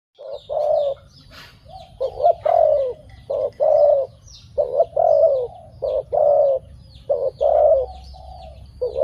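A dove gives low, hollow coos in short bursts, roughly one every second or so, with faint higher chirps from other birds behind.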